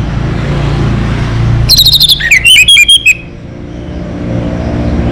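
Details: Orange-headed thrush (local Anis Merah) singing: a short burst of rapid whistled and chattering notes, sliding between high and mid pitch, lasting just over a second, over a steady low engine-like rumble.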